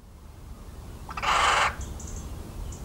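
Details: Little owl in the countryside of central France, recorded 17 March 2019: a single harsh, broadband screeching call lasting about half a second, rising out of a quiet background with faint distant high chirps.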